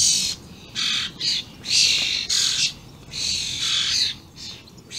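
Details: Very vocal juvenile and adult common starlings, recorded 28 May 2016, giving a run of harsh rasping screeches in quick succession, six or seven noisy bursts with short gaps.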